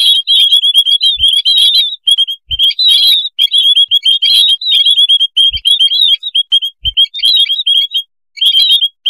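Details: White-headed munias calling as a noisy flock for luring: a near-continuous chatter of high, clipped chirps from many birds, with occasional low thuds.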